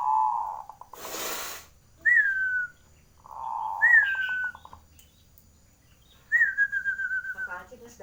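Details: Zebra dove singing: low rolling trilled coos that break into quick pulses, mixed with higher slurred whistles that drop in pitch, and a short burst of broadband noise near the start.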